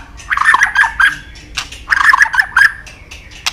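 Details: White-rumped shama singing hard with a full set of fillers, used as a lure to provoke shamas: two bursts of rough, chattering, squawky notes at middle pitch, each followed by sharp ticks.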